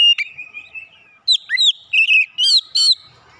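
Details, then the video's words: Oriental magpie-robin song used to draw out fighter character in untrained birds: a long wavering whistle, then quick series of looping, downslurred and rising whistled notes, loud and varied. "terapi tes Kacer bahan cepat keluar karakter fighter"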